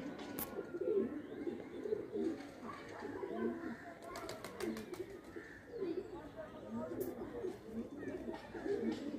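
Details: Indian pigeons playing, many birds giving low rolling coos that overlap, with sharp clicks and knocking sounds between them.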